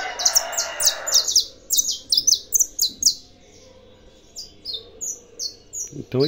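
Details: Saffron finch from a breeder's collection sings fast high chirps over a noisy opening second, then continues with softer, spaced notes; a low sound rises at the end.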